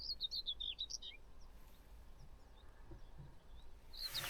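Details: Common Whitethroat on a summer morning around 5:30 in farmland with crops gives a brief, scratchy, hurried warble of about a second, then another phrase after a pause, over soft background rumble.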